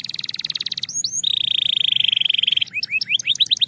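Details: Belgian canary singing clear tones: a pulsed trill, two rising whistles, a long steady rolling trill slowly dropping in pitch, then a rapid series of short rising notes.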